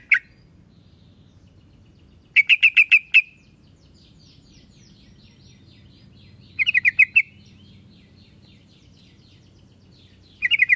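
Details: Yellow-vented bulbul, known locally as trucuk, in an original recording: three bursts of five or six quick, bright chirps, with the last burst cut short, separated by quiet gaps and faint softer notes between them.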